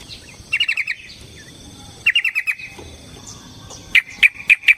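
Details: Yellow-vented bulbul in a fighting song intended to provoke another bird: three short bursts of rapid bubbly trilled notes, each about half a second long, over faint background hiss.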